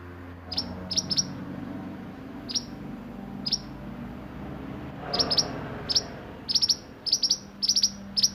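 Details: Sunbird (mantenan) performing roll nembak song for masteran; very high, piercing clicks and short trills, scattered singly at first then in rapid clusters toward the end, with steady low hum underneath.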